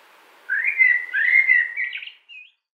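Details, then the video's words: In a 2017 spring wood a common blackbird gives a flowing, low whistled warble, then a short pause and a thin, high closing note. "spring wood by warbles of common blackbird"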